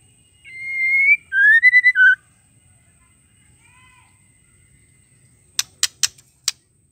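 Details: Lure call of a female white-rumped shama for stirring males to sing: a sustained whistle followed by quick stepped whistled notes, a soft pause, then a run of four sharp ticking clicks.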